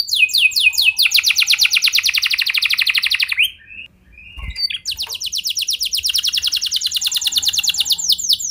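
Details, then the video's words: Singing canary in full gacor flow, a recording for stimulating other canaries: fast even trill of repeated notes, a brief pause with a faint knock, then the rapid rolling trill resumes strongly. "Kenari Gacor Lagu Mewah! Buat Kenari Mana Saja Bakalan Langsung Ikut Gacor Panjang"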